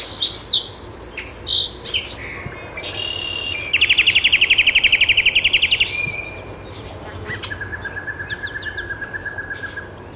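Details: Great-tailed grackle recorded in Taos, New Mexico, on 17 June 2017: high metallic chips give way to a loud, fast buzzy rattle, then a long, steady thin whistle over soft outdoor background noise.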